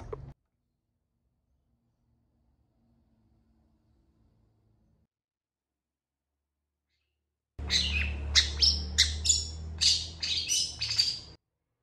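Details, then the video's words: Long-tailed shrike (cendet, pentet) singing in a long, emotional full performance and quickly answered by other shrikes. Silence for most of the recording, then about four seconds of dense, harsh, scratchy high notes in rapid bursts. "CENDET FULL TEMBAKAN PANJANG . . PENTET GACOR DOR FULL EMOSI CEPAT DI RESPON CENDET LAIN"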